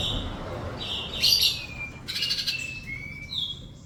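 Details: Sunbird song used as a training recording to make silent birds reply: short high trills and thin whistled notes, one sliding downward and a later rising whistle, over a soft hiss.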